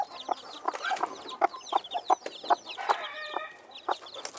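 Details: Silver Phoenix chicken hen and chicks: rapid, irregular short clucks, several per second, under a steady chorus of high curved chick peeps.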